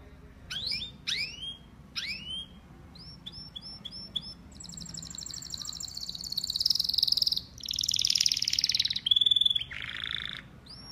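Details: Pet male canary song: a few sharp downslurred whistles, a series of short paired notes, then dense high buzzy trills and a lower rolling phrase, over faint background hiss.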